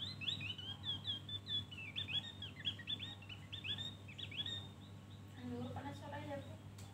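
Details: Rapid, continuous high twittering from a Javan grey-throated white-eye in ngeriwik style with full fill, made of many quick rising and falling notes. Lower, softer notes enter near the end over a steady hum.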